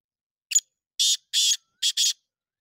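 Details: Black francolin calling: a short rasping note, then two longer harsh buzzy notes, then a quick grating pair, about two seconds in all, on a silent background.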